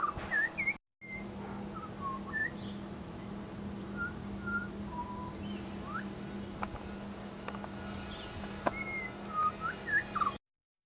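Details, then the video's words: Pied butcherbird from suburban Brisbane, Australia, copying local sounds: scattered short whistled notes, some flat and some swooping, with a few sharp clicks and a long flat whistle near the end over a low steady drone. "AMAZING Pied Butcherbird mimicry"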